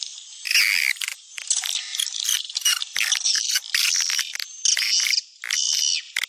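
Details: Calling sound for attracting swiftlets, popular in Sumatra: rapid, rasping, high-pitched twitters in long uneven bursts that break off briefly and then resume.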